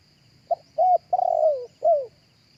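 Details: Single cooing phrase from a spotted dove, recorded live for loudspeaker use in luring doves: a brief soft note, a clear coo, a long wavering coo that slides downward, and a last falling coo. A faint high whine sits behind.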